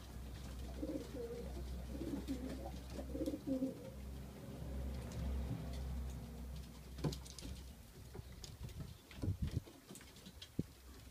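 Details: Male racing pigeons kept as widowers, three weeks into the widowhood system in early May, give low, throaty rolling coos, with clattering wing and foot sounds later on.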